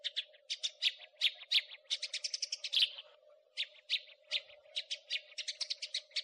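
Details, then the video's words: Training recording of house sparrow crecetan chatter for songbirds: bursts of harsh, scratchy chirps come in quick series, one accelerating into a dense rattle, with a short quiet gap midway and a steady low hum throughout. "Elektronik Master Kicau Gereja / House sparrow (Passer domesticus)"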